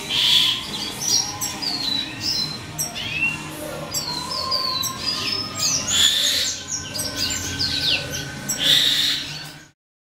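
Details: Captive red siskin juveniles bred from a classic male and a simple-mutation female. Several birds give a busy mix of high, sliding whistles, short chirps and buzzy bursts almost continuously before the sound cuts off abruptly.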